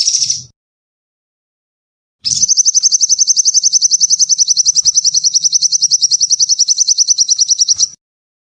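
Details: Sunbird song for training and luring songbirds: a short high burst, a long pause, then an unbroken rapid trill of high pulses lasting about five and a half seconds with a faint low hum beneath.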